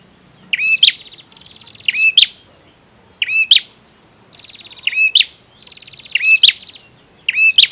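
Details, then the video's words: Male bar-winged prinia in full song: buzzy, rattling trills lead into sharp, piercing chirps, the phrase repeated about every second and a quarter in a steady, insistent rhythm with little else audible. "Suara Prenjak Tamu Jantan Gacor"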